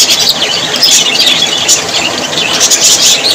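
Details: Constant shrill chattering from a group of parrots: high squeaks and short whistled chirps crowd over one another in a steady, continuous wall of sound.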